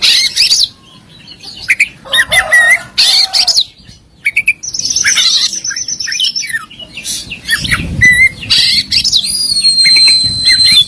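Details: Oriental magpie-robin, a competition songbird, singing full fills and bursts: dense harsh phrases broken by pauses, a long high sustained whistle, and short clear slurred notes, with some low rumble.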